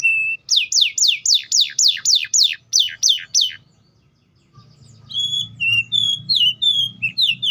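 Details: Canary in full song: a steady whistle, then about ten descending sweeping notes repeated rapidly, a short pause, and a string of warbled rising and falling whistles over a low hum.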